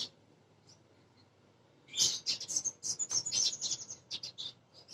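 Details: Female Crimson sunbird calling for males, song used to lure birds into singing: near silence, then a sudden burst of rapid, very high, scratchy twittering notes for about three seconds.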